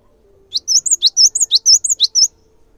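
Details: Cinereous tit singing loudly, used to draw other tits into song. About ten piercing high notes alternate in a quick seesaw rhythm, lasting under two seconds, against a quiet background.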